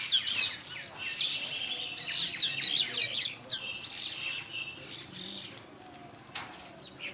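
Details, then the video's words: A flock of common mynas feeding in the morning in Bangladesh gives rapid, lively chirps, clicks and short whistles in quick overlapping runs, then a few fainter calls at the end. "শালিক পাখির ঝাঁক"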